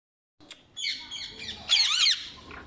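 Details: Rose-ringed parakeets give a run of harsh, harmonic squawking notes, starting with scratchy chatter and building to a louder burst of rapid grating screeches before fading, over faint background noise.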